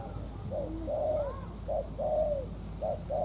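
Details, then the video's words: Decoy spotted dove cooing to provoke wild doves, low mellow notes in short groups, a brief wavering note followed by longer drawn-out coos, over a noisy rural background with faint hiss. "Tiếng cu mồi đất thúc - gù kích bổi"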